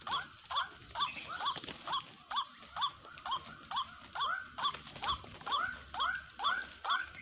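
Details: White-breasted waterhen calling on a trapping lure recording. A long, regular series of nasal, upturned 'wak' notes, roughly two per second, over low rumbling background noise and a thin high whine.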